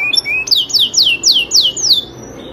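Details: Canary, Serinus canaria, master-training song: a short rising note, then six clear whistled sweeps falling sharply in pitch, evenly spaced about four per second.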